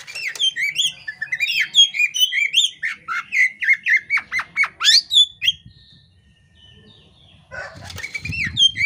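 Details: Female Oriental magpie-robin (kacer poci) in breeding condition, calling ('ngobra') while spreading her tail, a display said to set males calling too; dense run of rapid, varied whistles and sharp chirps for about five seconds, then quiet, ending with fluttering and rustling.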